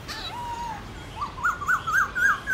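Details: Morning song of a Black-throated laughingthrush in wild style: a soft, level whistle, then a series of short notes stepping upward, each a small rising-and-falling whistle.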